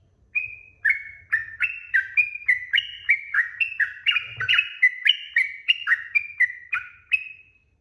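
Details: Sooty-headed bulbul in long lure song meant to draw other birds into answering: a steady run of short whistled notes about three per second, alternating higher and lower pitches, each dipping or sliding, with faint low rumble beneath.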